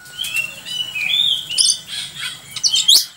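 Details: Oriental magpie-robin singing for song-tutoring: mixed whistled notes, harsh squawky elements and rising sweeps, fairly busy with a low background hum.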